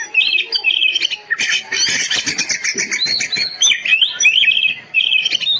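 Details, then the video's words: Oriental magpie-robin song used to train quiet caged birds: bright whistled phrases at start and end framing a harsh, scratchy chattering passage in the middle. "Burung kacermu bisu? tempel masteran kacer ini ,100% ikut gacor dan emosi."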